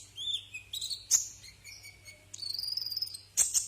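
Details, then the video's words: Brown-throated sunbird, kolibri ninja, from a cage-bird tutor recording: thin high whistles sliding down, then a rapid buzzy stuttering trill and a final pair of sharp chirps, over a faint steady low hum. "masteran burung Kolibri"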